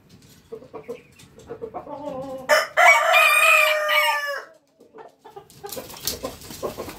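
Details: Rooster crowing: a run of short low clucks builds up, then one loud, harmonic-rich crow of about two seconds with a sustained middle and falling end, followed by fainter scattered clucking and rustling.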